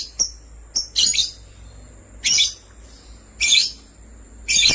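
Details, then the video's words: Two lovebirds, sky blue opaline and green opaline, give harsh, shrill chirps in short bursts about once a second, with thin high whistles between them. "Lovebirds chirping sounds"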